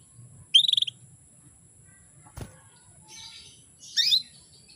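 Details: Female canary call used to rouse males: a rapid buzzy trill of about six pulses, a click, soft rustling, then a bright rising chirp, over a faint steady hum.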